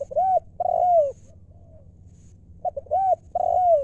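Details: 'Lio'-style call of a spotted dove used as a lure for wild doves. Soft low cooing phrases: a short note, an arched coo and a long sliding coo, repeated after a pause.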